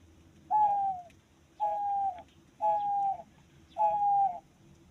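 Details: Diamond dove singing, natural sound: four soft, mellow, even-pitched coos, each about half a second long and repeated roughly once a second, over a faint low background hum.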